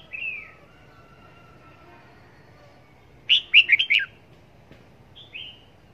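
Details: Red-whiskered bulbul kept as a decoy bird for trapping, tested at Long Thành: a clear burst of four quick, bright, slurred whistled notes, with a single downslurred note before and another after, over a quiet background hiss.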